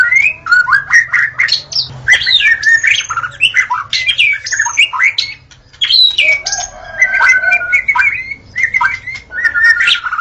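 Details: White-rumped shama singing in forest, recorded as its natural voice: a loud, fast tumble of varied clear whistles, rising and falling slurs and sharp chips with barely a pause, and some short low notes in between.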